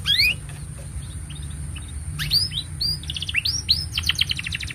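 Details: Canary in long, nonstop song, used as a master recording for tutoring young canaries and prompting silent ones to sing: a few high upslurred whistles, then a quiet pause, then rapid rattling trills and bright downslurred notes. A faint steady high tone hums throughout.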